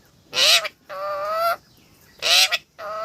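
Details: Parrot talking, giving loud honking squawks alternating with longer, steadier, nasal harmonic tones, in two matching pairs with short silences between them.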